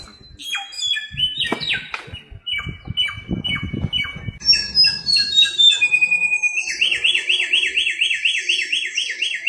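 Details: Wild Bare-throated Whistler (samyong), endemic to Flores and Sumbawa, Indonesia: scattered clear whistled notes over low thumping sounds, then a high trill and a fast run of repeated rising-falling notes.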